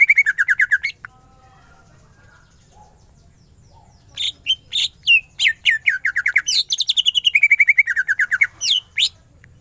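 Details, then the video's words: Greater green leafbird in 'gacor' mode: a fast descending trill, a pause with faint whistles, then a loud varied run of sharp chirps, slurred whistles and rapid rattles in 'ngentrok' style. "Cucak ijo gacor full tembakan ngentrok"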